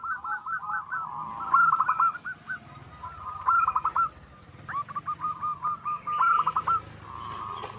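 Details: Wild local zebra dove song used as a lure: several separate phrases of rolling coos, each ending in a few sharp, ringing notes, with pauses between phrases and faint background hiss.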